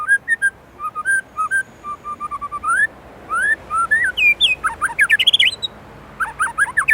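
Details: Energetic white-rumped shama from Indonesia with varied song fill: clear mid-pitched whistles repeated evenly, then rising slurs and a fast tumbling run of high swooping notes.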